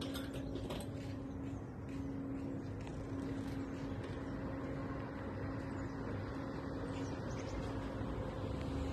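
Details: A steady low engine drone with a constant hum runs through the whole stretch, like a vehicle or motorboat nearby, and no animal voice is heard.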